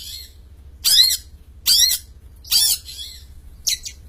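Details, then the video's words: Champion long-tailed shrike singing actively, giving four loud, grating rasps at a steady pace of about one a second, each buzzy and broad, separated by quiet gaps. "Suara Kicau Burung cendet juara Gacor"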